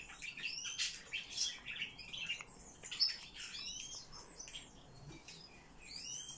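Eurasian blue tit giving thin, high chirps: short arched notes in quick irregular bursts, with other small chirps overlapping and a soft background hiss.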